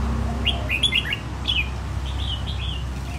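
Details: Red-whiskered bulbul, caught wild as an adult and kept caged one year, now fit for song competition, delivers quick sharp chirped phrases, then a looser string of slurred whistles, with background hum.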